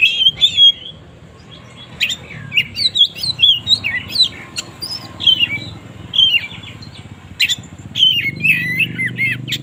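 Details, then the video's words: Morning song of an oriental magpie-robin: a long, continuous run of varied whistled and warbled phrases that twist up and down. Bright notes follow one another quickly with short gaps. A low background rumble is audible. "suara burung kacer gak ada ahlak"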